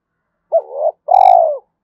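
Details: Spotted dove calling to lure, one phrase: a short hooked hoot and a wavering low coo, then a longer, throbbing, buzzy coo that slowly drops in pitch.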